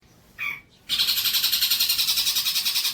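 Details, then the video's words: Long-tailed shrike song used as training material for young birds: one short harsh note, a brief pause, then a dense, fast, buzzy high trill pulsing steadily for about two seconds. "MASTERAN TROTOL"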